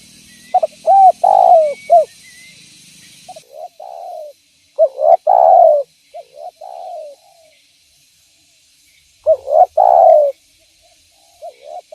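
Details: Spotted dove used as a trapping lure, calling energetically in three bursts of stuttered coos. Each burst has quick clipped notes leading into a rich, longer coo, separated by short silences.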